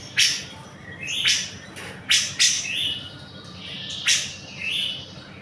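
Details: Cucak jenggot, the grey-cheeked bulbul, singing in a training recording: loud sharp chips mixed with short whistled rising and falling notes, spaced about a second apart.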